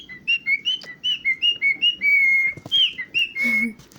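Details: Cockatiel whistling: a run of short, clear whistled notes rising and falling in a quick, uneven series, then a longer level whistle and a few more short notes, ending in a harsher burst.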